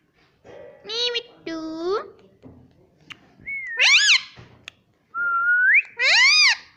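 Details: Talking pet Indian ringneck parakeet taught words such as mummy and papa; several speech-like harmonic syllables followed by rising whistled notes and loud voiced bursts, in a small quiet room.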